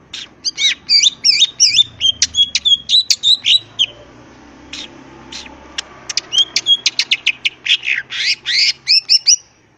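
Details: Green leafbird with raised crest delivers a long, busy ngentrok song. Rapid twisting whistles and rattles come in two bursts separated by a short quieter gap, all high-pitched and rhythmically choppy.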